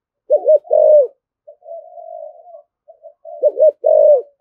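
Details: Spotted dove, eager rustic-voiced cooing: a hooked double note and a long low coo, then a soft drawn-out murmur, then the same loud phrase repeated.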